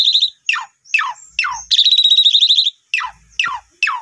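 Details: Asian pied starling song used as a lure to get a newly bought, silent bird singing: sharp descending whistled sweeps repeated about every half second, broken by a long buzzy rattling trill in the middle.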